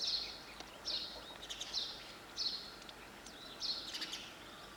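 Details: Single sparrow chirps, crisp and evenly spaced close to once a second, over soft background noise.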